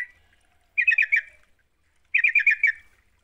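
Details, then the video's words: Sooty-headed bulbul song meant to coax other birds into singing: two short bursts of five or six quick, bubbly chattering notes, over a second apart, in quiet surroundings. "Pancingan trucuk GACOR, sekali dengar trucukanmu gak bisa diam."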